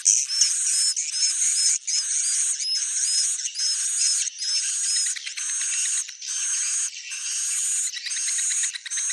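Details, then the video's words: Swiftlet calls presented as original: rapid, high twittering chirps in dense bursts about a second long, separated by brief gaps, continuing steadily through the recording. "suara walet asli"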